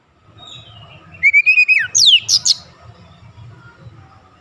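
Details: Brief Oriental magpie-robin phrase, played as a lure to excite other magpie-robins: a level whistle sliding down, then a few high, steeply falling notes, over a low rumbling background.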